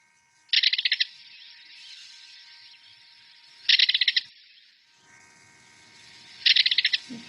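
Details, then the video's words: A Belted Kingfisher gives three loud, dry, harsh rattles like a machine gun. Each is about half a second of rapid clicking notes, spaced roughly three seconds apart, over faint background hiss. "and in this case the belted kingfisher sounds like a machine gun rattling okay"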